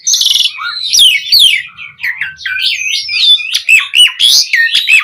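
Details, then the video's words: Asian pied starling in full, energetic song with varied filler phrases, used to tutor other starlings: a dense, rapid mix of harsh chatter, slurred whistles and squeaky notes with hardly a pause. "Pancingan Suara Jalak Suren Gacor POWER FULL Variasi Isian Buat Masteran Burung Jalak Agar Cpt Gacor"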